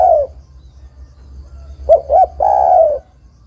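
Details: A female spotted dove calling to a male gives soft, mellow coos: a trailing note, then two quick hoots and a longer drawn-out coo, low and hollow, in a quiet room.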